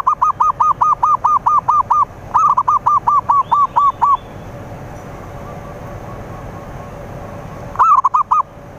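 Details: Zebra dove song used as a lure to attract rivals: two fast runs of about nine to ten clear, arched cooing notes, then a quiet gap with low background hiss and a short burst of three notes at the end.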